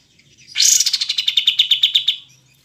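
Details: Olive-winged bulbul (kapas tembak), clear recording: a buzzy, harsh opening runs straight into a fast, even series of about twelve sharp chattering notes that fades out after two seconds.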